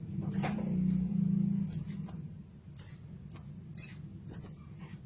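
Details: Olive-backed sunbird (kolibri ninja) master song: a low buzzing hum in the first second, then seven crisp, very high chips spaced about half a second apart.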